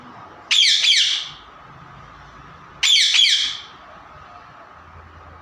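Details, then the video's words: Two pet parrots playing; two loud, harsh squawks about two seconds apart, each a noisy rasping burst lasting close to a second, with near silence between them. "Mitthu tota ki awaaze | Funny parrot talking video"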